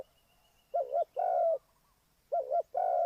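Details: Spotted dove serving as a trapping decoy, delivering two mellow phrases. Each has a wobbling two-part coo followed by a sustained, slightly falling coo, with a faint high whine in the background.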